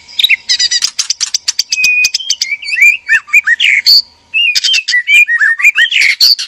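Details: Caged breeding pair of white-rumped shama, male and female, calling for mating: dense rapid ticking and rattles mixed with loud fluty slurred whistles, a brief pause, then another run of varied whistles and clicks.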